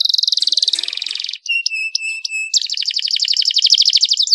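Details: Canary song used to stimulate other canaries into singing: a rapid high rattling trill, then a series of clear repeated whistled notes with a steady tone underneath, followed by another fast buzzy trill.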